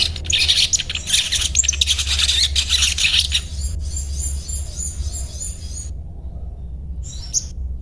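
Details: Sogon, the crimson sunbird, sings cuet cuet cuet in ngriwik style: a frantic high twittering rush, then a neat series of thin repeated notes about three per second, a pause, and a final burst, over a low hum.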